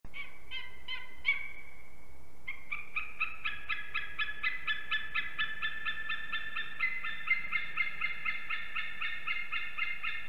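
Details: Two unringed adult eagles at their nest in Ķemeri, Latvia, calling during arrival and mating at 6:01 am on 8 March 2024. A few yelping notes are followed by a long, steady run of ringing, harmonic yelps that rise slightly in pitch.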